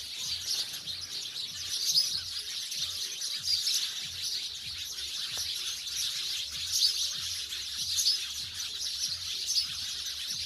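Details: House sparrows, now living in villages away from the city, give a dense, unbroken chorus of high, rapid chirps and twitters with no single caller standing out.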